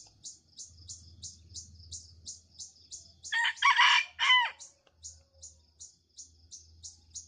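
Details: Young junglefowl at dawn in Kuansing gives one short, harsh, rasping crow of about a second. Insects pulse rapidly and steadily at a high pitch throughout, with a low hum underneath.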